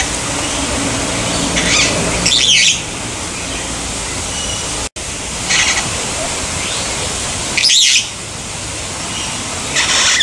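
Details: Long-tailed glossy starling at Durban's Umgeni River Bird Park, 12 December 2015: two short bursts of harsh, grating squawks roughly five seconds apart, each paired with faint scratchy notes, over constant background noise.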